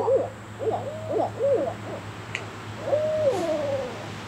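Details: Juvenile barred owls learning to call: a few short, arched hoots, a pause, then a long level hoot sliding down into a wavering tail, over a low steady hum.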